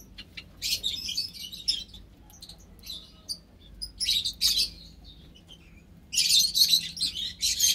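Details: Ten white Java sparrows in an aviary shared with white-headed, scaly-breasted and tricolored munias, 21 March 2021; high, dry chirping comes in dense bursts separated by short quiet gaps, with the loudest cluster near the end.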